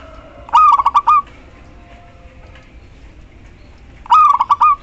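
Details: Local zebra dove female calling to a male, giving two rapid pulsed coo phrases about three and a half seconds apart, each a clipped burst of notes closing on a drawn-out tone, with faint background noise between.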